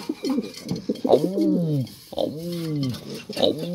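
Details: Racing pigeon kept indoors, cooing in a small room: low, rolling coos with a rising-then-falling bowed shape, repeated about three times, while a woman speaks softly in French between the calls.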